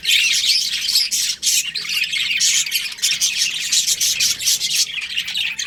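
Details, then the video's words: Budgerigar breeding pair giving busy, high-pitched warbling chatter, a steady stream of squeaks, clicks and short twittering notes with barely a pause. "Budgies Chirping Sounds"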